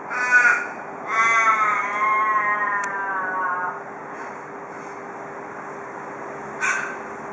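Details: Australian raven near a porch in Perth, Australia, giving the local "cock a doodle doo" call: a short harsh harmonic note, then a drawn-out wailing note sliding slowly downward and fading over about two and a half seconds. Faint clicks in the background.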